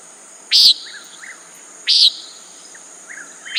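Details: A common nighthawk calls with loud, short, rasping buzzes, about one every one and a half seconds, while faint lower chirps sound in the gaps.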